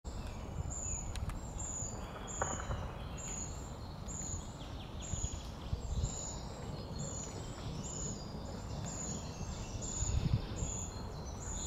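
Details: Young short-toed treecreepers waiting to be fed give thin, very high chirps, about thirteen in quick regular succession, roughly one each second, over a steady low rumbling background noise.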